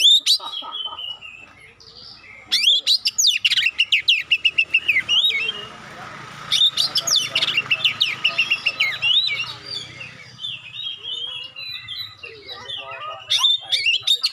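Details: Magpie-robin, kacer, singing with sharp 'shot-like' notes and clear tones said to make other magpie-robins respond; rapid repeated clicking and chattering notes in several bursts mixed with sweeter whistled phrases, with some background noise.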